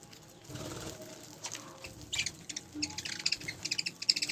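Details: Spangle budgerigar flock: a soft flutter of wings first, then rising bursts of rapid, high twittering chatter that grows busier toward the end.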